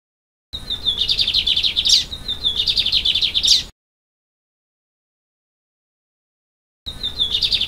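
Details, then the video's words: Recorded in Vila Pavão, Espírito Santo, Brazil, a lined seedeater repeats its high song: a whistled lead-in, then a dense chattering buzzy trill closing with an upslurred note, two phrases in a row and a third beginning after a pause. "BIGODINHO CANTANDO"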